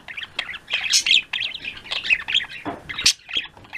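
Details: Pet budgerigar flock in an afternoon, dense overlapping chirps and warbling trills from several birds, quick bright notes clustered high, with a few louder squawks and sharp peaks, fairly continuous chatter.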